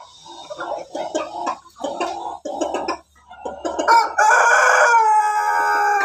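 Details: Pelung chicken: rough clucking and scattered noises first, then a loud, rich, harmonic crow begins near the end and is held steadily.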